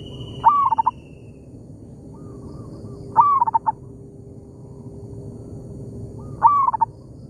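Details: In an oil palm plantation, a local zebra dove calls back and forth with a decoy. Three loud phrases open with an abrupt rising note and break into fast, stuttered, falling coos. Quieter coos sound in the gaps, and a faint thin whistle is heard at the start.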